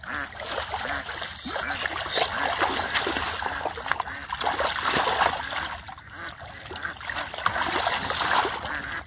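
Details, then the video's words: Several ducks quack together beside muddy water where a boy catches catfish by hand; rapid, overlapping nasal calls run almost continuously, half masked by heavy splashing and churning water. "The Ducks are Making Beautiful Sound From The Side"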